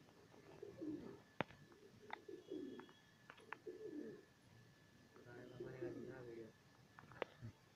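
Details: Satinette fancy pigeons, a home-bred pair, cooing indoors: soft low rolling coos in several short bouts, each about half a second, with sharp clicks and knocks between them.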